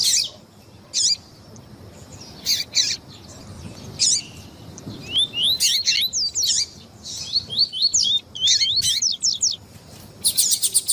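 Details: Double-collared seedeater (coleiro tui tui) song with female calls, played to excite the male; scattered sharp high chips, then a run of quick rising whistled slurs repeated rapidly over several seconds, with more chips at the end.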